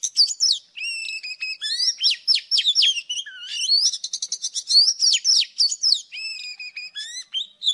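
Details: Old wild Oriental magpie-robin in morning song, recorded as a trapping lure: a long, rich run of clear whistles, rapid trills and sweeping slurred notes, phrases following almost without pause.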